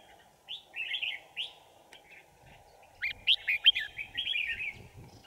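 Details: Decoy Red-whiskered bulbul singing to lure wild birds into a trap, recorded 5 January 2018: bright whistled, warbling phrases in two bursts, a short pair early and a quicker run of rising and falling notes later, over a steady low hum.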